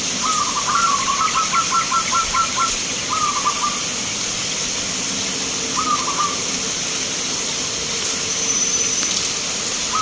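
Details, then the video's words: Zebra dove of a local strain competing at a song contest in Magelang, Indonesia, gives a long rolling series of quick, low, mellow coos, then three shorter stuttered phrases spaced a few seconds apart, against constant hissing background noise. "Perkutut Lokal gacoran Vs irama"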